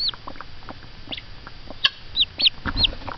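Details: Mother hen excited at peeps from a hatching egg; scattered soft clucks mixed with several high, thin, downward-slurred chick peeps.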